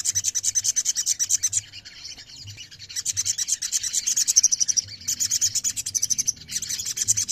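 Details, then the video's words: Ruby-throated myzornis chorus meant to set caged birds singing: rapid, rasping high trills pulsing about three times a second in long runs, broken by short drops and restarts. "TERAPI OMBYOKAN SOGON LANGSUNG BUNYI"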